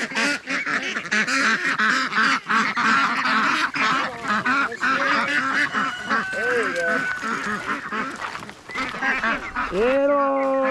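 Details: A large flock of domestic ducks on a homestead on a very hot summer day, about 95°, being walked to a neighbour's pond to cool off, quacking nonstop in a dense overlapping nasal, buzzy chorus about three quacks per second, with voices near the end.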